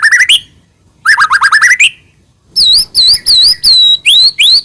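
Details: White-rumped shama song meant to provoke another shama: quick rising whistled runs, then slower loud looping and upslurred whistles at a higher pitch.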